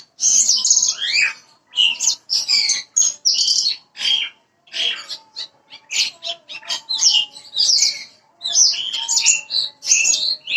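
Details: Parva bushlark singing in a recording meant to coax an untrained bird into song: loud bursts of scratchy, warbling chirps separated by brief gaps, delivered energetically and continuously.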